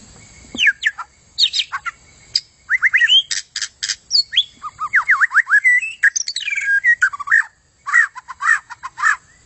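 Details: White-rumped shama song for training contest birds: a rich, varied run of whistled slurs, rapid sweeping notes and sharp clicks, phrases tumbling quickly one after another with brief pauses.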